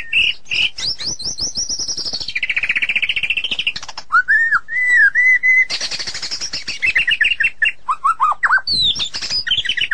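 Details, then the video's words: Song of a white-rumped shama: fast high rattling trills, a rolling buzzy run, then a series of clear looping whistled notes repeated evenly, followed by varied high chattering and mimicry-like phrases. "เสียงนกบินหลาดง (นกกางเขนดง) White-Rumped Shama Sound"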